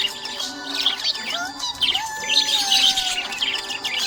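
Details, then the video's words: Budgerigar in a happy mood, chirping in busy high twittering bursts, with gliding whistled notes beneath and a sustained tonal hum underneath. "Happy budgie chirping sound"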